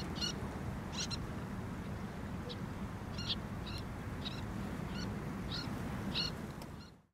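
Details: In Thessaloniki, Greece, in April 2024, a Common Sandpiper gives thin, high piping notes in short bursts, roughly every half-second to second, over a steady low rush of water or wind.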